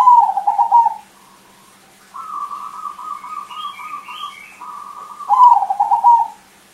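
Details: Loud crossbred zebra dove kept as a lure utters a rolling coo, then a long wavering trilled phrase and another bubbling coo, over a low steady hum.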